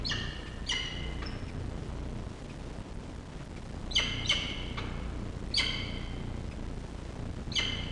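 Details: Feeding at a wild peregrine falcon nest on a university campus in Orange, Australia, October 2023: a chick gives abrupt, ringing harmonic squeaks in small clusters every second or two, with a faint background hum.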